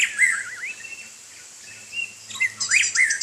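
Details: Bathing in the rain, a white-rumped shama sings a wavering whistled phrase, a short pause with a faint held note, then loud rising whistles and harsh chattering notes.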